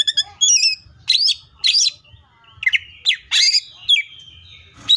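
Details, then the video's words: Greater green leafbird in full 'tembakan' song: loud, closely spaced upswept whistles and harsh notes with a few high trilled phrases, bursting out roughly every half second. "CUCAK IJO FULL TEMBAKAN"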